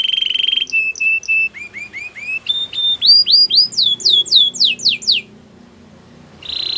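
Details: Singing canary delivering phrases that climb in pitch: short flat whistles, then upswept notes, then higher down-slurred notes, each repeated about four times per second, a brief pause, then a steady note resumes.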